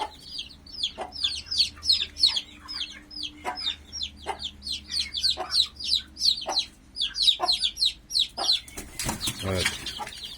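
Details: Young turkey chicks beside their broody mother in a coop keep up a dense stream of shrill, downslurred peeps, roughly three per second, with soft clucks and a burst of wing flapping near the end.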